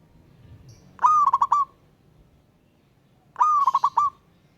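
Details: Local wild zebra dove calling a rival: two loud, clear phrases, each opening with a rising coo and breaking into a rapid stutter of four or five notes, over a quiet background.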